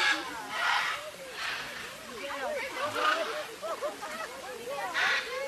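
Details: A crowd of macaws in an aviary gives overlapping harsh squawks about once a second, over a busy backdrop of twittering, warbling parrot chatter.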